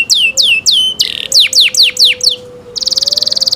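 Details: Canary cenkok song with slow hooked whistled notes, a short buzzy burst, several loud downslurred whistles, and a closing fast high rattling trill.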